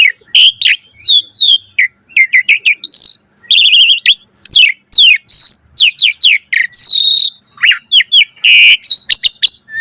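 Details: Asian pied starling in a busy run of sharp chips, twisting whistles and short harsh bursts, rapidly alternating without pause.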